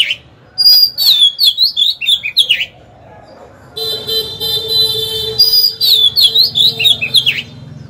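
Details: Decoy Oriental magpie-robin in a cage, singing to provoke wild rivals to fight: bright, fast, warbled phrases of sweeping whistles and chirps, broken by a steady horn-like tone in the middle, then renewed rapid singing.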